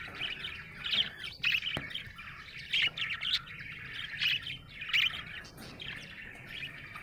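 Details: Happy budgerigar chirping in loud, bright bursts of scratchy warble roughly every second, with quieter chatter between them.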